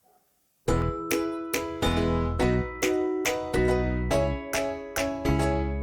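After a brief quiet moment, plucked ukulele-like music begins, with bright repeated chords and no animal sounds.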